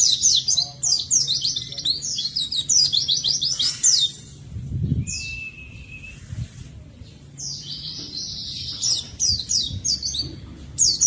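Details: Oriental white-eye in full energetic song meant to coax quiet birds: dense high twittering phrases of quick descending notes, a pause with a thin steady whistle and a soft low thump, then the twittering resumes.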